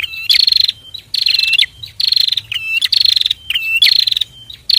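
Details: Pair of bar-winged prinias singing energetically, used as a master recording for training other birds: bursts of rapid buzzy, trilled notes near the top of the range, each opened by a short whistled slur, repeated roughly every second.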